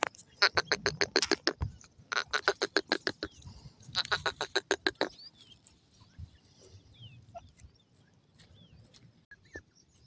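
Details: Teetar, a francolin, sounds three bursts of rapid, harsh, staccato notes in quick succession, then quieter chirps and faint background noise as the calling stops.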